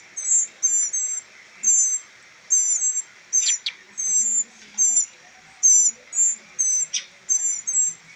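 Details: Three rescued baby northern mockingbirds, raised in rehabilitation for later release, give about a dozen thin, very high, squeaky doubled notes, each under half a second, in an uneven steady series.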